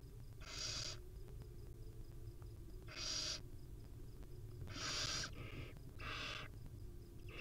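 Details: Wild barn owl mother cuddling her chicks at a nest: four harsh, hissing screeches of about half a second each, broad and breathy, with the last two close together, over a steady low hum.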